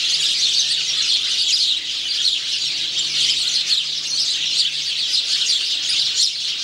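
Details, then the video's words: House sparrow male singing on 17 November 2009 keeps up a steady run of bright, chirping notes, dense and unbroken, possibly with other sparrows chattering nearby. "House sparrow male singing, huismus man zingt"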